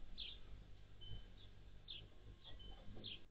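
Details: Anna's hummingbird at a feeder on June 7, 2022, a day with a high of 76F and a low of 51F: short, sharp, high chips in small bursts spaced about half a second apart over a steady low rumble.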